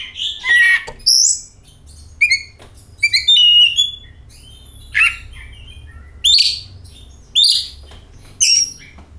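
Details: Oriental magpie-robin lure song to spur other magpie-robins to sing: loud whistled and scratchy notes in separate short phrases every second or so, with quieter gaps between them.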